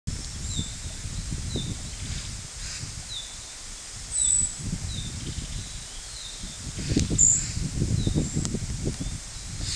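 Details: Female narcissus flycatcher calling to urge her young to leave the nest: faint, short, high notes repeated about twice a second, with a couple of brief thin squeaks above, over steady low rumbling and rustling background noise.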